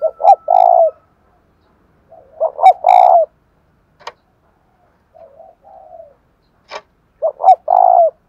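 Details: Caged spotted dove in đồng thổ style: three loud low coo phrases of stuttered double notes and a long note, with soft trailing coos between and a couple of sharp clicks.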